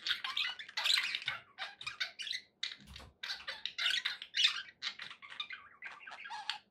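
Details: Pet parakeets warbling and chirping in rapid, scratchy phrases separated by brief pauses, with a dull low bump near the middle.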